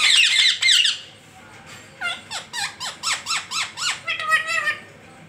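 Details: Parrot calls: a burst of harsh, noisy squawks, a short pause, then a steady series of about ten arched, rising-falling chirps, ending in a flatter tonal note.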